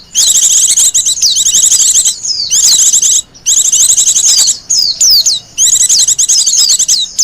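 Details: Japanese white-eye, a wild bird, singing in loud high chattering bursts of fast warbled notes and swooping slurs, phrases of one to two seconds with short silent gaps; sung for luring and as master song.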